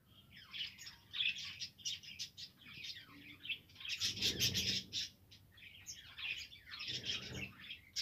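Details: Budgerigars singing, recorded 7 November 2023: a continuous, chattering warble of rapid high chirps and scratchy twitters in bursts, with a louder, busier stretch midway and some low thumping underneath.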